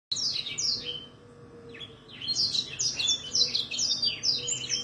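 A canary sings fast, high, rolling phrases of chirps and trills, bursting after a brief lull into a continuous bright warble.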